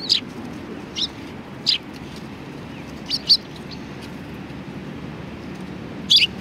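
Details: Scattered single high chirps from sparrows at a Tenmangu shrine, February 2020, spaced irregularly with quiet gaps and a steady low rumble beneath.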